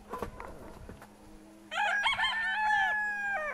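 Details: Brahma rooster in Altai, Russia, recorded February 2016: brief soft clucks, then a sustained, strongly harmonic crow of nearly two seconds that holds steady before dropping at the end, over a faint steady hum.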